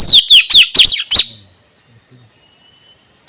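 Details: A male Asian fairy-bluebird, used as a lure for wild birds, gives a rapid series of about six loud falling whistles in just over a second. Steady hiss continues after the song stops.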